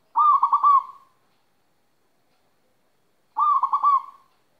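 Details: Moulting local zebra dove in Magelang, Central Java, delivering two identical cooing phrases about three seconds apart, each a quick rolling series of four mellow pulses trailing off into a soft tail, with silence between.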